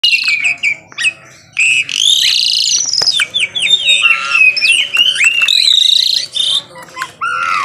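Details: Asian pied starling singing in the morning, a varied run of whistled slurs, rising and falling notes and harsh chatters, with short pauses between bursts.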